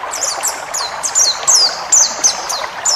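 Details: Forest-type white-eye training song for caged birds: quick series of high, sharp downslurred chirps repeated several times a second, bright and thin, over a background rush like flowing water.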